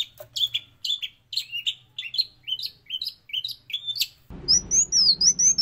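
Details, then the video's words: Long-tailed shrike master recording mimicking sparrow and prinia: a row of clipped chirps about two per second, then clear high whistled slurs over a band of low background noise. "MASTERAN Cendet Gacor isian Gereja & Prenjak"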